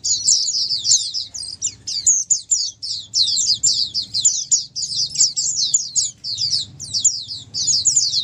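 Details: Many Oriental white-eyes in clear chorus, played so that a non-singing white-eye joins in; bright, high-pitched chattering notes pour out in quick overlapping runs with short pauses and a low rumble behind.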